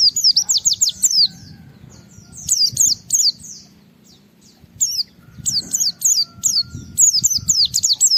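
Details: Japanese white-eye singing as a challenge to rival white-eyes, in bursts of high, thin, falling whistles separated by short pauses, with a faint steady tone and low rumble behind.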